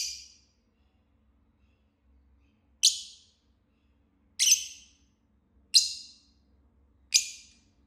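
A lovebird gives five shrill, harsh chirps, each a short screechy burst that fades quickly, spaced about one and a half seconds apart, with nothing else in the background.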